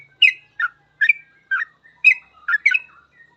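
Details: Gacor trucukan song, the yellow-vented bulbul's full ropel style, meant as masteran for training trucuk. Seven rich, bubbling phrases about half a second apart, with a faint trailing whistle at the end.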